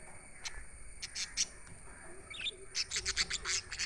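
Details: Budgerigars chirping, sound meant for lonely pet birds: sharp high chirps, a few spaced early, then a fast run of repeated chirps near the end, with faint background hum.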